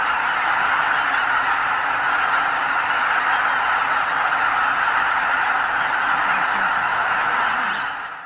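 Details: Pre-dawn roost departure of some 80,000 greater white-fronted geese on spring migration at Lake Miyajimanuma, Hokkaido, Japan; thick chorus of overlapping honking calls throughout, fading abruptly at the very end.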